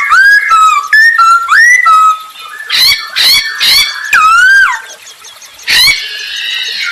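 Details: A Masked laughingthrush in full, lively song, used as a lure to draw out other birds, gives loud, ringing whistles that slur up and down, broken by harsh, scratchy bursts, several phrases coming quickly one after another.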